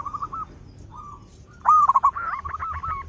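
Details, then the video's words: Local zebra dove with a loud song used as a decoy: a few soft cooing notes, then a sudden loud rolling coo followed by quick stuttering notes. "Perkutut lokal gacor suara besar bikin gempar bunyi seteras cocok buat pancingan"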